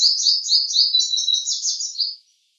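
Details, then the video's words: Purple sunbird singing a fast, high, jingling run of sharp notes that rises and falls for about two seconds, then stops abruptly. No other sounds. "Song of Purple Sunbird"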